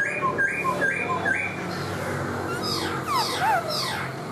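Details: Black-throated laughingthrush in a singing-dancing display with its tail spread like a fan: short upward-stepping whistled notes repeated quickly, then a few loud slurred swoops.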